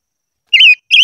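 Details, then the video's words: Silver-eared mesia singing as voice training: a loud, slightly wavering whistled phrase, then a brief pause and the start of a second rising whistle that is cut off. The background is quiet. "Chim ngũ sắc hót hay luyện giọng - ngũ sắc hót ché"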